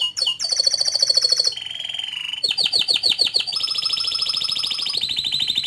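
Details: Canary in full long song: a sharp opening chirp, then a high metallic trill and a lower wavering tone. Fast repeated swooping notes follow, ending in a sustained, even, rapid roll.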